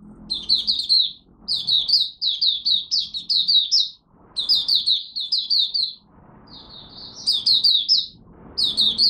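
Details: Opening warm-up song of a Malaysian white-eye kept by a bird hobbyist, recorded 01/08/2023: long strings of quick, shrill chirping phrases rising and falling, five bursts with silent breaks, faint low rumbling between phrases.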